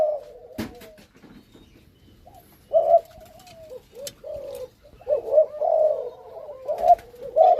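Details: Breeding pair of Malaysian-line spotted doves, male and female, kept in captivity; scattered throaty coos with a pause in the middle, then a denser run of rolling coos toward the end, a click at the start.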